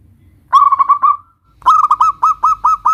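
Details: Local Zebra dove singing to prompt replies from other doves: a quick rolled run of notes fading into a thin tail, a pause, then six evenly spaced loud hooked notes.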